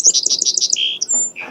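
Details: A Song Sparrow (Melospiza melodia) sings a quick run of bright, high chipping notes, then a dry buzzy trill and a few thin whistles; it does not repeat itself exactly.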